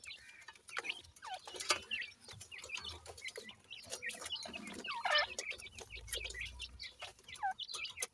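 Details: A brood of Sindhi grey francolin chicks feeding, many high downslurred peeps overlapping in a steady chatter, broken by pecking taps and brief low scuffling.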